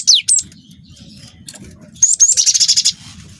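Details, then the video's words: Cinereous tit youngster singing to provoke other birds into song: two sharp downslurred whistles, a quiet gap, then a rapid buzzy rolling trill of about ten pulses. Faint low hum underneath. "PANCING BUNYI GELATIK BATU GACOR WINGKO"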